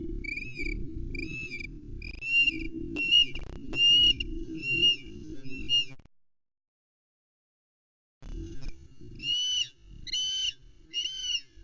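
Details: Female osprey Aila at her Loch Arkaig nest, 11 May 2020, calls impatiently in full voice awaiting the male's trout delivery: high, whistled chirps about one per second, over low wind rumble, with a brief silent gap midway.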